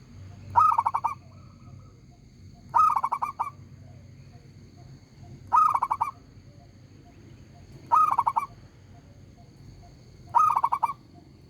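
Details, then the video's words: Zebra dove, a local bird, singing actively in a big, clear voice: five loud trilled cooing phrases, each a fast run of pulsed notes, repeated roughly every two and a half seconds, with low rumble between. "perkutut lokal gacor suara besar nyaring"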